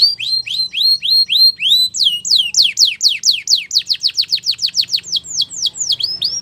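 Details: A female Belgian canary singing in the morning gives a rapid run of high phrases: rising hooked notes, then a fast trill of descending sweeps several times a second, then varied chirps.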